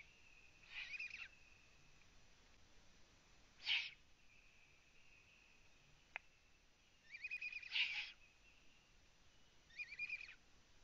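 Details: Eurasian eagle-owls at a live-camera nest in Latvia, 03:27 at night on 9 June 2017, as an adult brings prey; harsh, hissing raspy bursts sound four times, each under a second, with a faint steady whine between.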